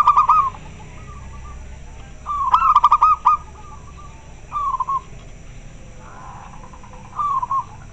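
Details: Local zebra dove, very clear voice, calling in response to others: four mid-pitched cooing phrases across eight seconds, the second a longer stuttering run with clicky pulses, the rest short broken coos, steady low hum behind.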